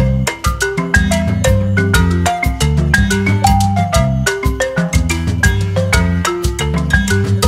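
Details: Bright marimba or xylophone music with a steady percussive beat and low bass notes, and no animal sounds.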